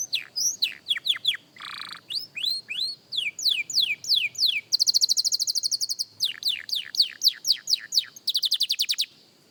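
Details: Juvenile canary works through its song: sweeping whistles, a coarse buzz, then a long fast high-pitched rolling trill followed by more descending slurred notes.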